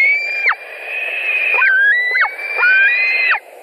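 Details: At a Latvian White-tailed eagle nest in July 2020, with fish being delivered: long, steady whistled squeals that run almost continuously, broken by quick downward slurs and slight steps in pitch.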